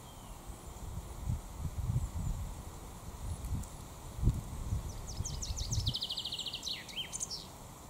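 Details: Common chaffinch in Raaderwald forest during the 2022 breeding season, its song known as Finkenschlag: one fast phrase of sharp descending notes ending in a flourish, late in the recording, over steady low rumble and rustling.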